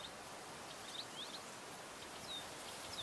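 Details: High, thin whistles from a green sandpiper by forest ponds at Buda Stalowska, Sandomierz Forest. Several short slurred notes, some rising and some falling, come in quick scattered bursts against a constant hissing natural background.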